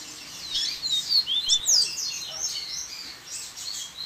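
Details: Double-collared seedeater in a 'baderna' mix of varied songs with waterfall sound: dense, overlapping high whistled and slurred chirps, quick rising and falling notes tumbling over each other, steady faint background hiss.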